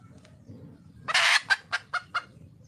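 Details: A red junglefowl hen in the wild calls for a male with one long, noisy, grating squawk followed by four short clucks spaced evenly, over a steady low hum.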